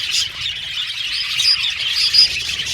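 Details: Caged budgerigars, a colony of parakeets, singing and chirping: a dense, continuous wash of high twittering chirps with brighter sharp notes rising out of it around the middle and near the end.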